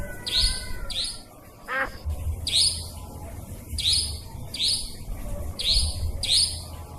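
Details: Trapping lure of nightjar calls, usable day or night: short, harsh, high-pitched notes, mostly in pairs, repeated regularly about every second, with a brief lower drawn-out falling sound early on and steady low background rumble.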